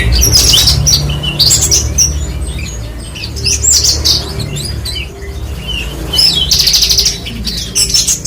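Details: Branjangan, the Horsfield's bushlark, delivers bursts of shrill chirps and trills in quick succession, separated by brief lulls, with a steady low hum beneath.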